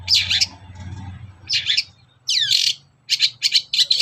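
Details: Morning song of a long-tailed shrike, used to provoke other shrikes into singing: loud rasping chatter bursts and one curving whistled sweep, with a low steady hum underneath.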